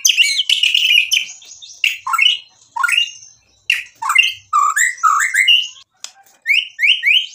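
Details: White-rumped shama song meant to provoke a rival: scratchy mixed phrases followed by repeated short rising whistles in quick groups of two and three.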